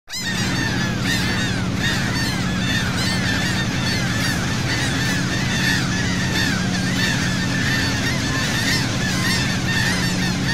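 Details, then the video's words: Seagulls at sea near Saint Martin, Cox's Bazar, Bangladesh, recorded from a boat: a dense chorus of overlapping harsh, arched squealing calls from many birds, running without pause over a steady low engine drone. "Wonderful Seagull Sound from Sea Boat"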